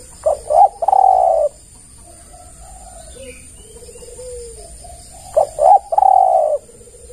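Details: Spotted dove calling as a lure for other doves: a loud phrase of two short notes and a long buzzy coo, repeated about five seconds later, with softer rolling coos in between.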